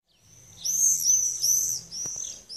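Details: Common swift screaming: a run of shrill, thin, very high screeches, each slightly rising and drawn out, three strong ones close together, then a few shorter ones; a brief click near the end, otherwise quiet.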